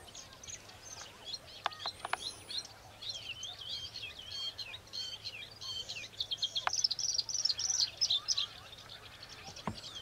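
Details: Bluethroat, Luscinia svecica, lured by a recording of another's song and flying in, displeased, to confront the rival. It delivers a fast, varied stream of high twittering, ticking and buzzy notes that grows louder toward the end. Occasional sharp clicks and a faint low hum are also audible.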